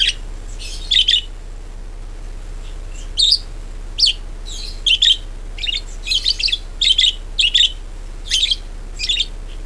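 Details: Budgerigar chirping on a recording meant to lure others into song: lively, high double and triple chirps repeated about every half-second to second, fairly steady, with a quiet hum beneath.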